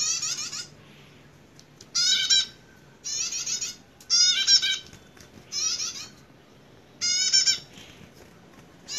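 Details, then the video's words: Bar-winged prinia known as a fighter bird, repeating harsh buzzy, rattling phrases about every one and a half seconds, each a half-second burst of rapid harmonic notes. "Prenjak Petarung Gacor Emosian"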